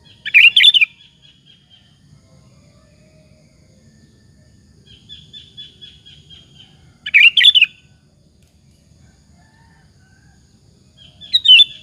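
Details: Lure song of a sooty-headed bulbul meant to provoke rival bulbuls into answering; three short rich warbled bursts spaced several seconds apart, with a soft flat whistle between them and faint low rumble.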